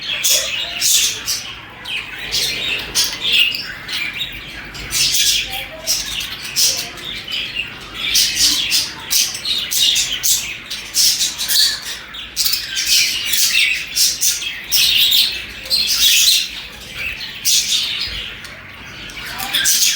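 Budgerigars chirp and chatter continuously in bright, scratchy bursts, several birds calling over one another.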